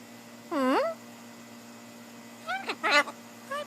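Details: Blue-and-gold macaw on a shoulder, talking: a single clear harmonic note dipping and then rising, a pause, then a quick cluster of two or three chattering syllables and a short rising note.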